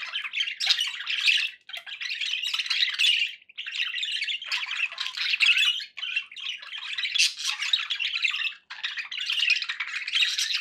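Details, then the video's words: Several pet budgerigars in dense, continuous chatter: harsh warbles and squawks in long bursts separated by short pauses roughly every two to three seconds. "budgie sounds for pet birds"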